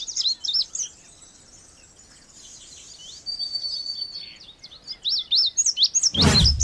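Indigo bunting singing bright, high, sweet notes, many in quick pairs, with one long thin whistle; a short loud thump breaks in near the end.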